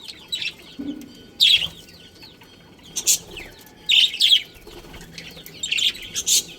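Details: Colony budgerigars including a breeding pair, giving spaced bursts of bright chirping and brief squeaky trills roughly every second, with quiet pauses between.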